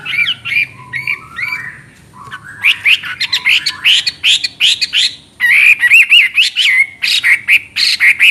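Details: A Chinese hwamei pours out an energetic, clear-voiced song. Short whistled phrases and lower slides build into quick, repeated ringing notes, then loud looping whistles rising and falling in rapid succession.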